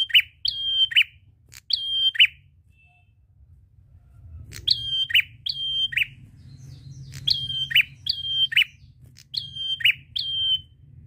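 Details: Prinia singing loudly and continuously, used to coax silent birds into song: phrases of a sharp high note, a level whistle, then a lower buzzy drop, given in pairs. There is a pause mid-way and a faint low hum throughout.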